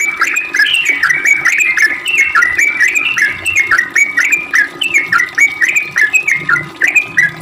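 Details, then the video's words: Sooty-headed bulbul pouring out its long 'ropel' song, used as a lure to get other birds to call back: dense, lively chain of rising and falling whistled notes. "Trucuk gacor ROPEL panjang buat pancingan trucuk agar bunyi"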